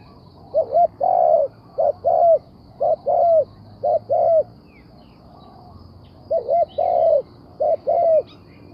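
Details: Spotted dove cooing steadily. Low, soft phrases repeat about once a second, each a quick hooked note followed by a longer hollow coo. A short pause breaks the run midway. Faint chirps from other birds sit in the background.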